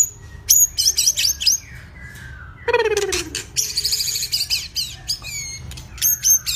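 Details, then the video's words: White-rumped shama, a bird in two-season plumage, training its song: rapid bursts of high whistled and chattering notes, a sharp drop into a lower buzzy rattle, then repeated upslurred whistles; steady low hum underneath. "chòe lửa tập lực"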